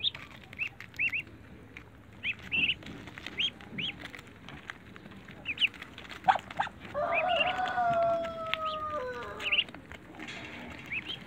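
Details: Backyard Muscovy ducklings jumping up to eat eggs give clusters of high, arched peeping notes. A long steady tonal drone runs through the middle and end, and peeps resume afterwards.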